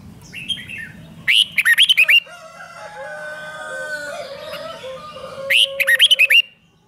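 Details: Red-whiskered bulbul song played to excite caged birds: two loud phrases of about seven snappy, looping whistles, roughly four seconds apart. A low, drawn-out harmonic crow-like call and faint chirps sound between them.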